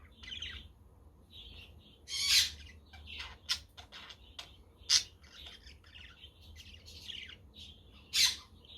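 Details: Pet budgies chattering on a windy, sunny day while a quaker parrot and a conure call in the background; rapid high chirps and warbled notes with several brief sharp clicks and a few louder squawks.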